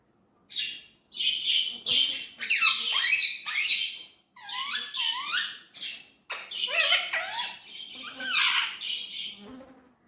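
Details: Indian ringneck parrot voicing word-like phrases, about five rapid bursts of squeaky, gliding syllables with buzzy edges, separated by short pauses.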